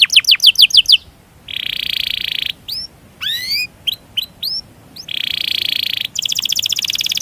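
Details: Canary song used as a training master to stimulate other canaries, a long roll with cuit-cuit calls: fast repeated high sweeping notes, sustained buzzy trills, upward-curving whistles, then a rapid high trill at the end.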